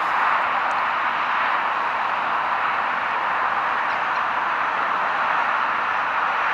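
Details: A constant broadband hiss like distant traffic continues throughout, with no clear animal voice.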